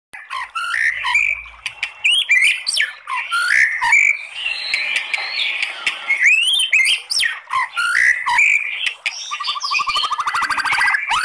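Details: White-rumped shama song in the kretekan style with long 'tembakan' phrases, used to provoke singing; varied whistles, slurred rising and falling notes and sharp chips, ending in a fast dry buzzy rattle.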